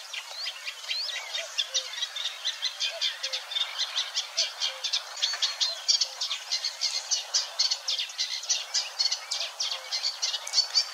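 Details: Singing Eurasian Reed Warbler in marshland at Wetering West, Overijssel, May 2022. Rhythmic chatter of short notes, each phrase repeated two or three times before switching, steady and unhurried, with a slight mimicking quality.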